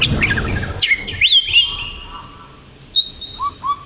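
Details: Oriental magpie-robin (kacer) song meant as training material for other birds: a brief burst of looping, slurred whistles after a noisy start, then a pause and a few scattered high and low whistled notes.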